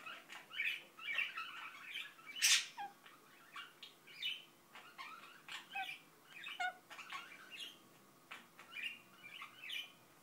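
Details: Quiet mumbling from a pet Indian ringneck parakeet, a string of soft chattered syllables and clicks spaced every half second or so, with one brighter squeaky note early on.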